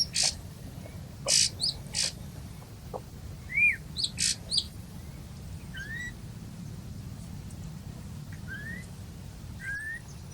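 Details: Birds chirp in the morning sun near Turgo peak on Mount Merapi, Indonesia: short, sharp chirps and brief up-slurred whistles every few seconds, with a few louder bursts early on, over a steady low rumble of wind.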